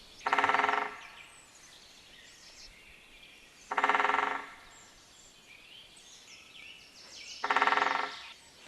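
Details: Great spotted woodpecker drumming in an open hornbeam forest, loud drumming used in place of song: three loud, rapid rolls, each under a second, about every four seconds, with quiet forest background between.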